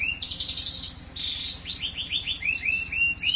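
A canary sings a fast, continuous warble of high, bright notes: rapid trills and quick repeated chirps, some rising and some falling, with no other sounds.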